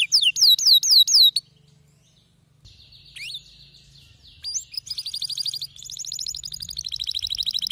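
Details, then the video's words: Male canary in an agitated singing bout. Looping whistled notes repeat rhythmically, a short pause follows, then fast high trills build in loudness toward the end. "هيجان ذكرى كناري سيجبر كناريك على التغريد فورا"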